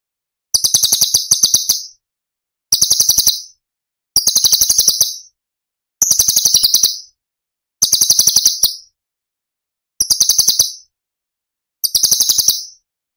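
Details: Cucak cungkok tembakan song from Cililin, a masteran recording for training other songbirds: high, rapid buzzy chattering bursts about a second long, repeated every one to two seconds with silent gaps.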